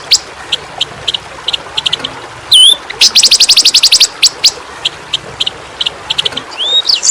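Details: Flowerpecker song used as a tutor recording for pet songbirds: sharp high chirps and ticks, a rapid buzzy trill run, and a few slurred whistles rising and falling.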